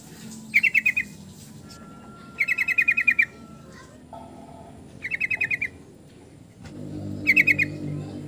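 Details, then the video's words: Yellow-vented bulbul repeating bursts of rapid staccato notes, each burst lasting under a second and coming every two seconds or so, with a faint whistle-like tone and low rumble in the background. "PANGGILAN TRUCUKAN"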